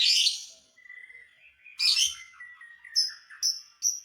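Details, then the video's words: Lovebird song to anger rival lovebirds: a harsh burst, a wavering warble, another rasping burst, then a series of short, clear high pips. "dijamin burung Lovebird lain emosi"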